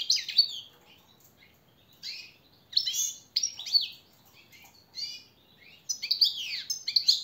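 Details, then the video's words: A European goldfinch gives a training song for captive birds, scattered bursts of high twittering and slurred chirps with irregular pauses between them. "jilguero el reclamo maestro y motivador"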